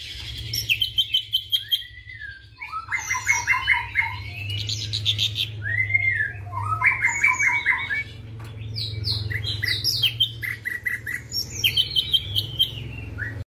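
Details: Active ashy drongo of the white-eyed form sings a varied imitation of a flycatcher (Sikatan Londo): quick bursts of chattering, buzzy notes and sharp whistled phrases that jump between pitches, with a steady low hum behind.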